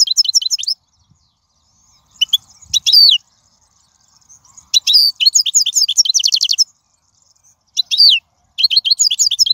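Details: A wild goldfinch sings a song offered as a model for fledglings: phrases of high liquid twitters, a harsh buzzy note and tight rapid trills, broken by short pauses.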